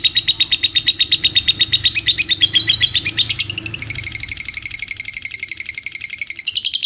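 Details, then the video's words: Lovebird singing in the ngekek panjang style: a long, unbroken chatter of rapid, evenly pulsed high notes that shift pitch partway through and then carry on as a steady, buzzy trill. "Suara Burung Lovebird Ngekek Panjang"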